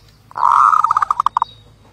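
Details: Zebra dove delivering a rolling coo that breaks into a string of about eight evenly spaced staccato notes, slowing slightly toward the end.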